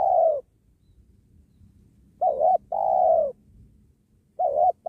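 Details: Spotted dove cooing during dove trapping beside a sacred tree: a short wavering note followed by a longer, steady, low hollow coo, given in repeated pairs, with a quiet low rumble underneath.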